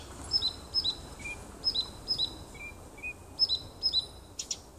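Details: Nightingale song from a small wood near a home, 30 June 2015: pairs of high whistles dropping in pitch, repeated rapidly about twice a second, with occasional lower flat notes and faint steady hiss.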